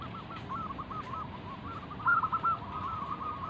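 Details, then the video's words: {'text': 'Local wild-type zebra dove, an active singer, performing its manggung song, used as a lure to draw other zebra doves into answering. Soft cooing notes run in a steady stream, swelling into a louder rolling trill midway, over a low background rumble.'} "burung perkutut lokal Gacor manggung"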